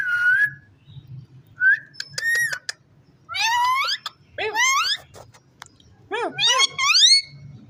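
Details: A pet ringneck parrot talking: separate bursts of harmonic, voice-like sounds with wavering, rising and falling tones. Quiet gaps fall between the phrases, with a low hum in the background.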